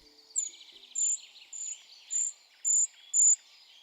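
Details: Eurasian treecreeper giving five very high, thin, slightly rolled 'sree' calls, about two per second, with faint twittering from other small birds in the background.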